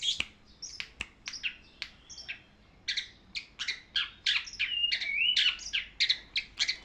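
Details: Long-tailed shrike tutor song meant for training birds: a lively chatter of short, scratchy chips and buzzy notes that speeds up into a dense, continuous jumble with a brief whistled slur in the middle.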